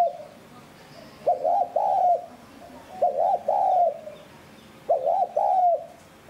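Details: Spotted dove cooing in a voice style suited to luring wild doves, used to stir decoy birds into calling: three low hollow phrases, each a quick double note then a longer drawn-out coo, spaced about two seconds apart, with faint background hiss.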